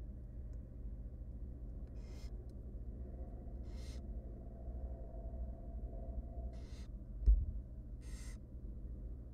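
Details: Begging hisses from three hungry wild barn owl nestlings in a nest box as their mother feeds them; four to five rasping, noisy bursts come at irregular intervals, with a low room hum and one soft knock.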